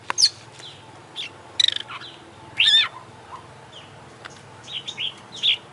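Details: Oriental magpie-robin, a champion contest bird, singing a varied 'isian' song: sharp high notes, a rapid stuttered trill, a loud burry phrase and several slurred whistles.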